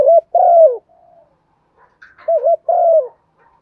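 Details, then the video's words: Morning call of a spotted dove decoy luring wild birds: a short coo and a long descending coo, a pause with a faint bird chirp, then the same two-part phrase again. "tiếng chim cu gáy Mồi gáy gọi bổi buổi sáng/ cu cườm gáy gọi bầy"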